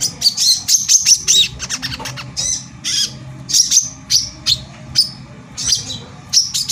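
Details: Brown-throated sunbird lure song, meant to provoke other sunbirds into excitement and singing: busy, tightly packed high chirps and squeaky notes in short bursts about every half second, over a steady low hum.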